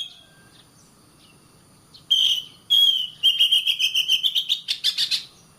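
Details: Oriental magpie-robin singing as a training model for caged birds: after silence, two sharp bursts, then a long whistled note overlaid by a fast rhythmic trill that slowly rises.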